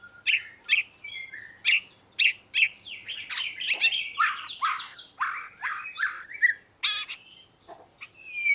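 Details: Oriental magpie-robin singing a fast medley of sweet whistles, chirps and buzzy squeaks, phrases coming in quick bursts with brief gaps.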